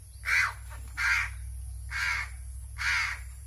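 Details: Captive crow begging loudly while hungry and being hand-fed, giving four rasping caws spaced under a second apart, each short and harsh, with a constant low electrical hum beneath.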